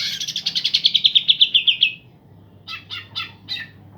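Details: Green leafbirds, a pair singing vigorously to rouse other birds that have gone quiet: a long trill of about fifteen evenly spaced bright notes slowly dropping in pitch over two seconds, followed by four separate chirps.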